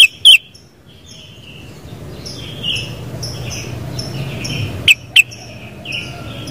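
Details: Sooty-headed bulbul with two quick, loud whistled notes at the start and another pair near the end, separated by a stretch of soft, repeated high chirping from other birds.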